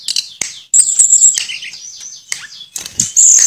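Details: High, sustained whistled trills and scratchy chirps from a Tledekan (Sulingan), a bird that copies other species' tunes, delivered in its flute-like 'nyuling' manner with short clicks in between.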